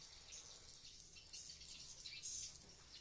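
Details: Swiftlets inside a nesting building in Blokagung, Banyuwangi, East Java. High, sharp chirps and twitters from many birds stream together, with a brighter burst near the end.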